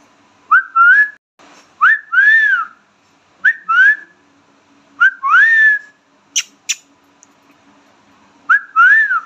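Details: A pet Indian ringneck parrot talking: short, clear, whistled phrases, each a quick upward slide into a sustained, slightly arching tone. Five phrases are spread unevenly across the clip, with two sharp clicks in between, in a quiet room.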